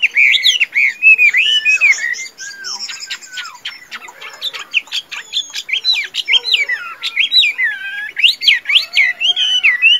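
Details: Caged tame Chinese hwamei, noted for good singing and fighting, alternates rich swooping whistles with a run of sharp clicks and short notes, then ends in a burst of loud, varied whistled phrases.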